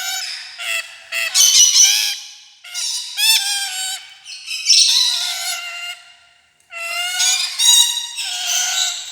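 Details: Rainbow lorikeet chatter made of grating, ringing squawks with rich overtones, delivered in four bursts separated by short breaks, some notes sliding upward and others buzzy and rasping.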